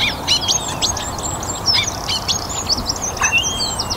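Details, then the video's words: Song thrush singing at dusk in a North Antrim garden after a warm, sunny spring day, its bright high phrases woven into a busy evening chorus of other birds, with a short lower harsh note near the end. "Song Thrush - evening chorus in my North Antrim garden."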